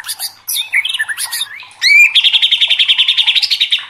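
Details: White-rumped shama in an agitated, fired-up state, kept as a songbird for training contest birds in Indonesia. Varied whistles and sharp notes open the phrase, then a rising pure whistle leads into a fast, even trill of about twenty rapid repeated notes.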